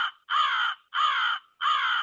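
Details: American Crow (Corvus brachyrhynchos) giving harsh, hoarse caws, three in two seconds, each about half a second long with short gaps between.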